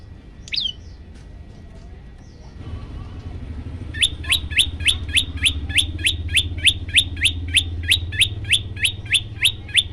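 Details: Yellow-bellied prinia master song meant to provoke listening birds: after a lone chirp and a quiet pause, a steady series of about twenty quick, rising chirps, three per second, over a low vehicle rumble.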